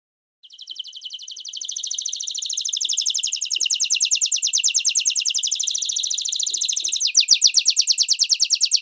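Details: Canary song for teaching young and adult canaries in training, including common and Belgian canaries: a long, fast, even trill of buzzy high notes that grows louder, then shifts to a coarser, slower rolling trill near the end.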